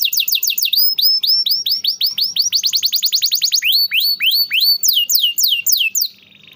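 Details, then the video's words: Domestic canary singing, a recording meant as a tutor and lure for canaries that seldom sing or have stalled: loud series of quick downward-sweeping whistles, about three per second, shifting into a faster run of sweeps and then lower slurred notes. "masteran burung kenari rajin bunyi cocok buat pancingan kenari susah bunyi/macet"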